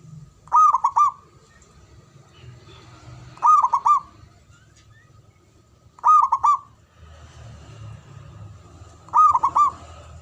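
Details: Male zebra dove giving short bursts of two or three clipped, ringing coo notes, repeated about every three seconds, with a low background hum between phrases.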